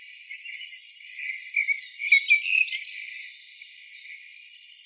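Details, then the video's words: Singing blackbird delivering a phrase of high, slurred whistles and sharp twittering notes, fading into quieter, scratchy chatter before a single thin whistle at the end. "Blackbird song"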